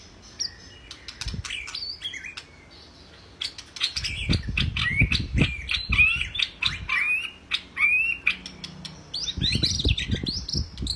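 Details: Training recording of a caged white-rumped shama: bursts of varied high whistles and chattering notes, interrupted by pauses, with repeated low thumping and rustling noises underneath.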